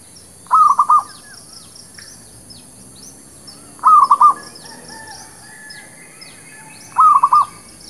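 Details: Zebra dove, local village merbuk or perkutut, recorded as a lure for trapping and training birds; short stuttering cooing phrases of three or four quick notes, repeated about every three seconds, with faint high chirps of other birds behind.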